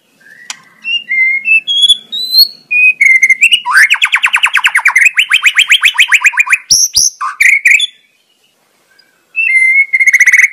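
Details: White-rumped shama in the wild: a rising ladder of pure whistles leads into a long fast trill of buzzy repeated notes, then sharp calls, a silent gap and a final whistled phrase.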